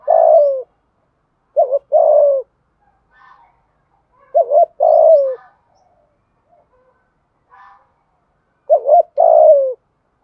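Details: Deep, throaty spotted dove coos in the 'thúc gù' style meant to stir wild birds. Several double-note phrases end in a falling drawn-out note, spaced a few seconds apart, with soft distant chirps between.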